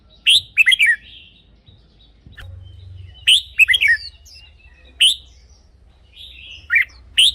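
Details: Song of a caged red-whiskered bulbul, played to stir up other birds. Cheerful warbled phrases of fast rolling whistles repeat every two to three seconds over a soft low hum.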